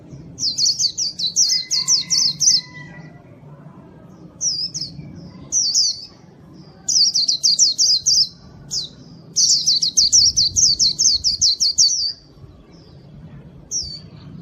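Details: White-eye song for luring wild birds, delivered in several bursts of rapid, high, downward-sweeping chirps with short pauses between them, plus a faint lower whistle early on.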